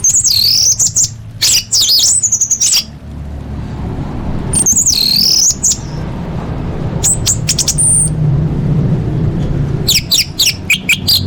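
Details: Lure recording of an orange-headed thrush to make caged birds sing: very high, wavering whistled phrases and rapid chippy notes in separate bursts, with a steady low hum throughout.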